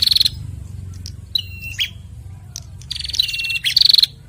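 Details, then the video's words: In an exchange between a male and a female bar-winged prinia, quick high trills open and close the passage, with a thin falling whistle and sharp chips between them. "Prenjak Jantan dan Betina Sahut-sahutan Gacor"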